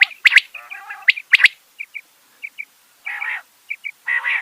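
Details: Rain quail, known as bedana or batair, uttering loud cracking double notes, a buzzy harmonic note, brief paired chips and rasping bursts over about four seconds.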